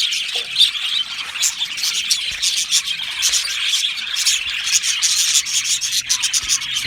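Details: Many budgerigars in an aviary colony calling together: a thick layer of bright, rapid twittering and chirps, with a few louder squeaky notes poking through the constant chatter.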